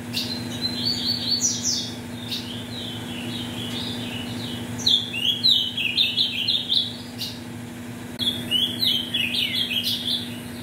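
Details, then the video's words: Ultramarine grosbeak in captivity, bred from mutation parents, used to heat up tournament birds: three rich warbling phrases of fast slurred whistles a few seconds apart, each ending in quick high notes, steady low hum underneath. "ESQUENTE seu AZULÃO em 5 MINUTOS"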